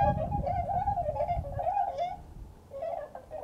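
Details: Bewick's swans at Beuven, Netherlands, on 18 December 2011 give a steady run of soft, nasal, yelping calls, wavering and overlapping for about two seconds, then resuming after a pause; low rumbling noise underneath.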